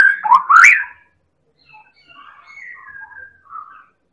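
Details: White-rumped shama of the Medan type singing a lively song used to provoke other birds into singing: loud sweeping whistles rising and falling in the first second, followed by softer, thin whistled phrases.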